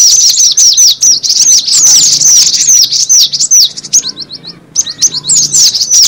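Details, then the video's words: High chattering of cinereous tit, played as a bird-catching lure: busy overlapping down-slurred chirps, then a short run of evenly spaced single notes and a brief silence before the chatter returns. "suara pikat burung gelatik batu"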